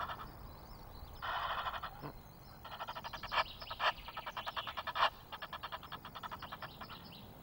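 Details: Egyptian geese, several birds, calling noisily on 5 March at Loch of the Lowes, Scotland, captured by a wildlife webcam: a burst of harsh noise, then long runs of rapid, even, pulsed honks, with other birds faint behind.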